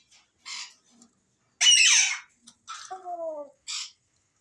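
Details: Pet African grey parrot, said to talk and say "Masha Allah"; a loud rasping squawk, then a clear descending whistled glide over harsh noise, framed by short hoarse chirps.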